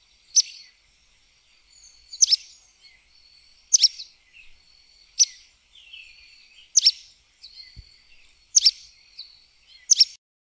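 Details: Sooty tyrannulet (Serpophaga nigricans) song: sharp, very high, slightly buzzy notes about every one and a half seconds, with soft twittering between them.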